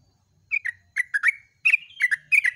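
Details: Short dawn excerpt of yellow-vented bulbul song in 'gacor ropel' style: three quick groups of rich, gurgling, slurred notes, each about half a second, with a faint low hum beneath.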